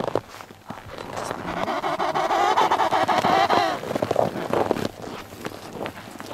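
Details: Emperor penguin on sea ice between Cape Evans and Cape Royds, giving a single long harmonic trumpeting call with a wavering, slightly rising-then-falling pitch lasting about two seconds, a person's voice nearby.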